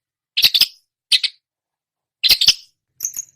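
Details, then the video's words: Long-tailed shrike imitating other songbirds, with four short harsh chattering bursts in about three seconds, the last thinner and higher, separated by clean silence. "masteran cendet menirukan semua jenis burung kicau"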